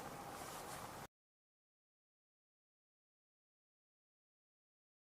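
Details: A second of broad noise cuts off into complete silence.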